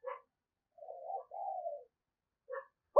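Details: A decoy spotted dove cooing to attract wild doves, in the 'thúc gù' style. Two drawn-out low coos are framed by short mixed notes and end in a sharp, loud burst.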